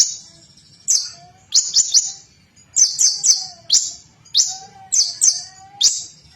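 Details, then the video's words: Konin bird in loud song aimed at provoking rivals: spaced, sharp, high buzzy notes, single or in pairs and triplets, with faint lower whistled tones between them. "KONIN SUARA KERAS"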